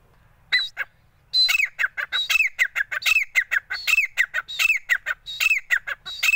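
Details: Grey francolin, a male, calling in loud, harsh, repeated notes, each a sharp rising-falling squawk, delivered in a rapid rhythmic series of more than twenty notes after a brief opening pair.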